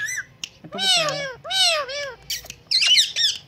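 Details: Pet Indian green ringneck parrot, a talking bird that mimics a cat's meow and whistles; two long, drawn-out, bending cries with rich overtones are followed by shorter shrill chirps.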